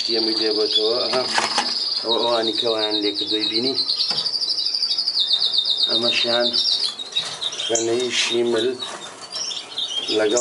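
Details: Melanin canary singing a long, rapid, rolling trill held steady for about five seconds, followed by scattered high chirps and short twitters, with a man talking loudly throughout.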